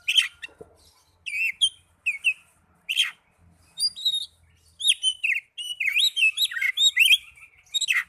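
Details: Oriental magpie-robin singing, used to coax young birds or birds that have stopped singing into song. Bright whistled slurs and chirps pour out in quick succession, building to a fast, continuous jumble of high notes.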